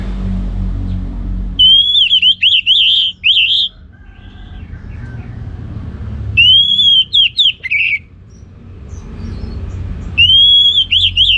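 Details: Orange-headed thrush delivering loud ngeplong song: three long phrases of fast, wavering, whistled warbles, each lasting about two seconds, separated by quieter gaps with soft distant chirps and faint low background hum.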